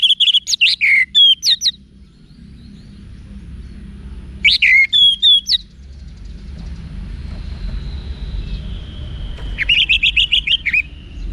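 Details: Three bursts of rich orange-headed thrush song, meant to train caged thrushes: fast chattering whistles mixed with slurred notes, each burst lasting about two seconds and separated by pauses with a faint distant whistle and steady low hum.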